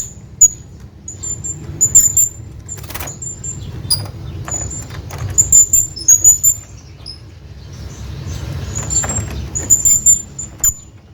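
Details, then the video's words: Hanging parrot calling to its friend: thin, very high squeaky chirps. They come in scattered short bursts, thickest around two, six and ten seconds, over a steady low rumbling background hum. "hanging parrot calling his friend"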